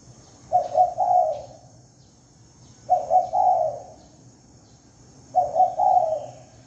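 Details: Clean lure recording of a spotted dove, three repeated phrases of two short coos leading into a longer dropping coo, spaced about two and a half seconds apart.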